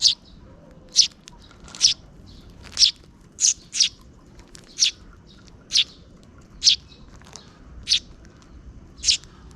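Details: Two sparrow chicks being fed by a parent near dusk: sharp, high, thin chirps repeated roughly once a second in an irregular series, about a dozen notes, over a quiet, faint low background.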